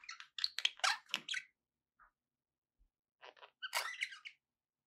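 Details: Budgerigars chirping to encourage a pet parrot to eat and sing, heard as clusters of rapid, harsh chattering notes and squeaks, with a brief lull before a final scratchy burst.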